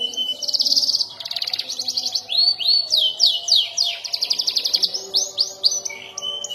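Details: Young canary (kenari paud) learning to roll and fire sharp notes: high trills and fast rattling rolls, then repeated rising-and-falling whistled sweeps, with a steady whistle near the end.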